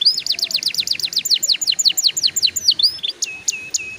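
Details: Trilling canary, used to coax young canaries into song: a rapid series of downslurred notes repeated almost three times a second, followed by a few high sharp whistled upsweeps.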